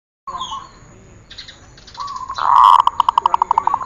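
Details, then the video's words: Zebra dove song from a training recording for teaching birds: soft low coos, then a loud run of quick, evenly spaced staccato coo notes near the end. "Masteran perkutut"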